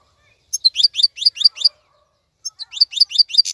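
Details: European goldfinch song used for teaching young birds to sing: two bursts of rapid, high twittering notes with upswept chirps, separated by a brief pause, clean background.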